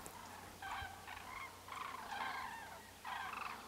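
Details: Common crane trumpeting in three clear bursts, each a cluster of loud, harmonic rolling notes lasting about a second, separated by short quieter gaps, over a low hum.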